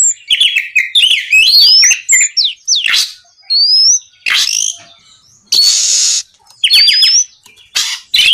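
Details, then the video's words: Oriental magpie-robin (kacer) in full song at night, sung to provoke rival birds into replying: varied sweet rising whistles and slurred notes mixed with harsh raspy bursts and quick chattering phrases. "SUARA BURUNG KACER GACOR NGEPLONG MEMANCING KACER LAWAN AGAR LEKAS BUNYI NYAUT & GACOR"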